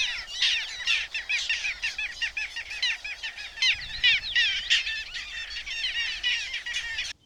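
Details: Passing flock of several hundred little gulls over the Vistula near Błotnik, Poland, passage birds that do not breed there; a dense, continuous chatter of overlapping short, sharp, nasal calls that stops abruptly.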